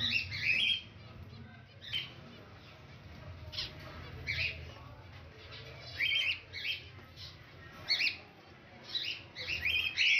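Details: A white zebra finch at a new nest with eggs and two chicks, feeding the young, gives short, harsh, nasal calls in bursts about every second or two.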